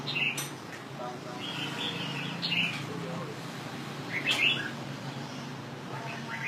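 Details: Red-whiskered bulbul of northern Vietnam, a kept songbird: short, bright warbled phrases arriving roughly every two seconds, with a steady low hum and faint voices in the background.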